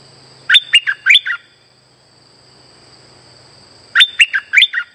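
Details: Streak-eared bulbul trapping lure song: two energetic phrases, each of five or six bubbly, slurred chirps, roughly three seconds apart, over a faint low hum and steady high whine.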